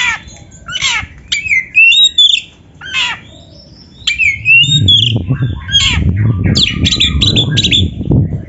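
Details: Oriental magpie-robin training song played to get kept birds singing: rapid mix of sharp downslurred whistles, chirps and scratchy notes, with steady low rumbling noise building in the second half.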